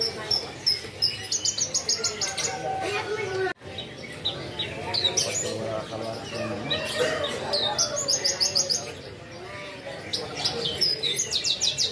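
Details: A Horsfield's bush lark (Mirafra javanica) sings in full, active voice: a fast, busy stream of high chirps, trills and buzzy notes, varied and nearly unbroken, with a brief pause partway through.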